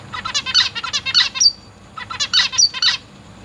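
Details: Young zebra finches, newly fledged and juvenile, fed by both parents in a big cage, August 2023; two quick bursts of harsh, buzzy, stacked chirps in rapid succession, separated by a brief pause.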